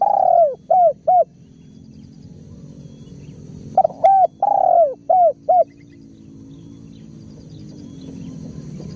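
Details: Spotted dove giving soft, downward-curving coos in quick groups of four or five, one longer drawn-out note among them, phrases separated by a few seconds of quiet; steady low rumble and faint high insect hiss behind.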